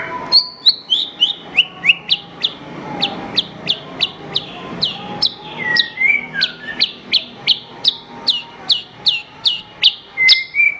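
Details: Master song of a Horsfield's bush lark for training other birds: a long steady series of sharp downslurred whistled notes, about three per second, with a brief lower warbled phrase midway.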